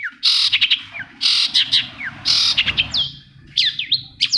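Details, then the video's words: Long-tailed shrike song played to spur a non-singing shrike into song. Dense, harsh, buzzy chattering bursts mix with clear downslurred whistles, the later part turning into separate sweeping notes, with low rumbling noise underneath. "SUARA CENDET INI BISA MERANGSANG CENDET MACET JADI RAJIN BUNYI PAGI SIANG MALAM"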